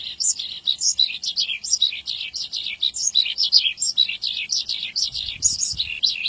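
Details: Javan bush lark singing vigorously, a rapid stream of bright, high chirps and twittering notes delivered in short bursts several times a second, with no real pause; a faint low rumble near the end.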